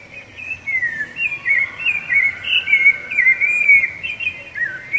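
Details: Loud, fluid whistled song of the rufous-bellied thrush, which marks territory and attracts a mate; varied warbled notes follow one another in a steady stream, with faint high chips overhead.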